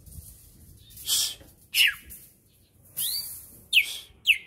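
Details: Greater green leafbird of the Berau type, a kept bird being readied for a singing contest, giving loud, sharp chirps and short rising whistles in spaced bursts, several notes over a few seconds with quiet gaps between.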